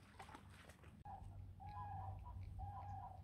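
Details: Distant common cranes at Müritz National Park near Rechlin, Germany, where cranes gather in autumn, give three drawn-out, rolling, trumpeting bugles in quick succession over steady low wind rumble on a foggy morning.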